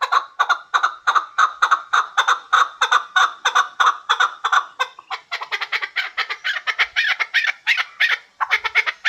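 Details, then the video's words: A hybrid chukar partridge repeats strong, harsh chuck notes in a fast regular series. Partway through, the notes turn rougher and more crowded, and the excited run carries on to the end. "Кабки Гибрид"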